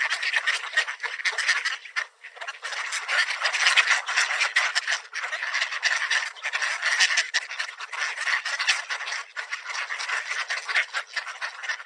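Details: Mallards swarming for scattered bird seed at a park, too many to count, producing a continuous rough babble of overlapping quacks with brief lulls.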